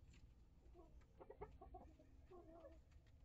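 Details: Backyard flock of hens and integrated chicks murmuring brief nasal clucks, a quick run of pulsed notes midway, over constant low hum.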